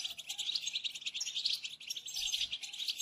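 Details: European goldfinch bitbita song meant to spur silent goldfinches into singing: fast, high liquid twitters and chips tumbling together steadily, fairly quiet, with faint low thumps near the end.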